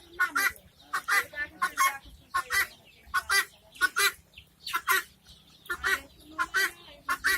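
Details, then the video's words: Helmeted guineafowl giving harsh, rasping calls in rapid rhythmic bursts, roughly one and a half per second, each a broadband cackle with a grating texture, steady throughout with a faint low hum underneath. "Guinia | hen | gunia poul | hen| hens | fun | funny | animal | sound"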